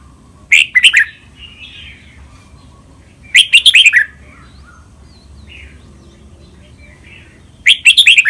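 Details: Red-whiskered bulbul training song for caged birds to copy, with Thai song styles called len rik, lak boen, lak wai, mae bot and nap dok; three short bright warbled phrases of rapid slurred notes, spaced about three seconds apart over a low rumble.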